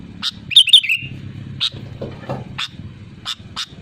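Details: A loud sooty-headed bulbul calls to rivals with one quick bubbly whistled phrase, followed by scattered short high chirps and some clicks and rumbling.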